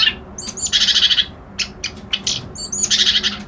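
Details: A reed warbler sings grating, buzzy phrases with high squeaky notes, pausing briefly between bursts of scratchy chatter; a low hum runs throughout.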